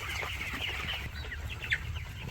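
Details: Broiler chickens in a farm house in winter, getting up as they are watched; a dense flock murmur of soft overlapping chirps and clucks, with a few sharper peeps standing out over a steady low hum.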